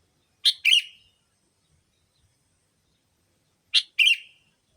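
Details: Bulbul lure sound, a sooty-headed bulbul call used to attract bulbuls: two matching doublets of sharp, harsh chirps with a short buzzy trail, about three seconds apart.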